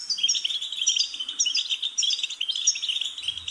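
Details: Goldfinch singing a fast, continuous twittering song of liquid trills and high buzzy notes, with phrases rising and falling without pause; a faint low rumble appears near the end.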